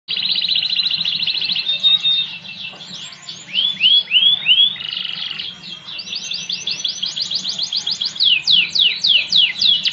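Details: Spanish Timbrado canary singing: a loud, high trilled roll, then sweeping downslurred notes, a lower rattling passage, and fast repeated bright upslurred notes, with a faint low hum beneath.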